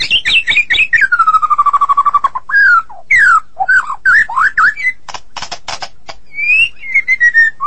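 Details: White-rumped shama of the Medan type singing vigorously: quick sharp notes, then a long falling whistle with a fast pulsing buzz, varied slurred whistles, clicking bursts, and a final gently descending whistled phrase.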